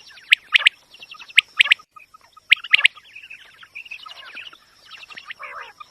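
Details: Quail call used as a lure for hunting: sharp, clipped notes in quick groups of two or three, repeating about once a second, then softer chattering notes, over a steady thin high whine.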